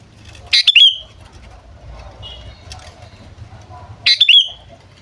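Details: Sooty-headed bulbul (kutilang) calls used to lure wild birds: two short bright chirpy phrases about three seconds apart, with quiet gaps and faint background rumble between.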